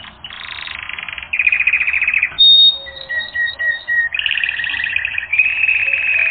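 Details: Canary training-recording song: buzzy rolled trills at different pitches, a pause with thin level whistles, then more rattling rolls.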